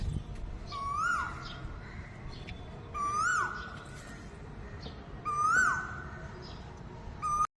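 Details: Early-morning Asian koel on a wire outside a window, giving three loud rising whistled calls spaced over two seconds apart, each followed by a short falling tail, with faint high chirps in the background.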